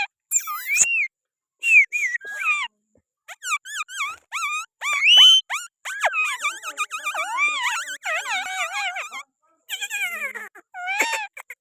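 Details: Pet green parrot from Pakistan on a person's hand produces a long varied medley of bending whistles, sliding squeals and warbled phrases with brief pauses, one sharp rising note standing out midway.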